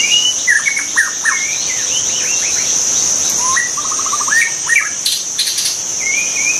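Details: Melodious wild white-rumped shama song: a cascade of quick whistled downslurs, then a fast ladder of clipped notes and a final rising whistle, over a steady insect drone.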